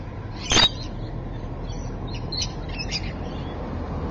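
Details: Rainbow lorikeet at Evans Head, 26 May 2012, 3:45 PM, gives a single harsh, shrill screech, followed by faint high twittering chirps over a low background rumble.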